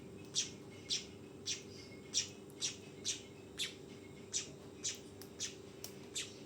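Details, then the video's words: Juvenile weaver giving short, bright chirps about every half second, fairly loud and uneven in timing, with a constant low hum behind. "SUARA BURUNG MANYAR TROTOLAN!!"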